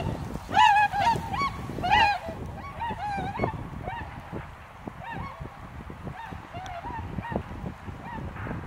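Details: Tundra swans, a large wintering flock at Azumino, Japan, on a cloudy day at -4°C with snow lying: many overlapping bugling, nasal honks with rich harmonics, loudest in the first two seconds, over a low rumbling background.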